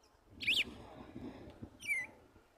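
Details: Female red-cowled cardinal, one year and two months old, singing while shaping her nest and pulling straw, to stir up her male: two short whistled notes, an arched slur then a falling one, over low background rumble.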